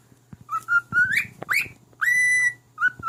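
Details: A male pet cockatiel whistles a tune to his mate. Its songs include "If You're Happy and You Know It" and "Bridge Over the River Kwai". Several short whistled notes slide upward, then a long level whistle.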